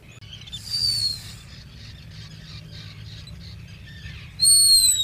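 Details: Black guillemot at its nest burrow, filmed by a burrow camera in 2022: a thin, high whistle slides downward, then a stretch of faint twittering, and a second loud descending whistle at the end over a low background hum.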